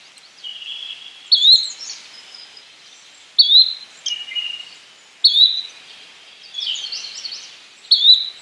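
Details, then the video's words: Repeated short rising calls of a yellow-bellied flycatcher, five in about eight seconds at uneven intervals, each a quick upslurred whistle, mixed with lower drawn-out notes and chatter from other birds. "Yellow bellied Flycatcher Bird Sound, Birds Call"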